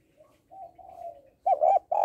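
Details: Female spotted dove calling to excite males: soft, low, drawn-out cooing notes, then two loud, firm coos at the end.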